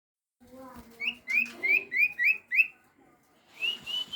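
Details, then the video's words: Common iora, used at night as a lure to make birds answer: low steady notes, then a series of six sharp rising whistled upslurs, then a longer rising whistle. "pancingan burung sirtu atau cipaw gacor di malam hari di jamin nyaut"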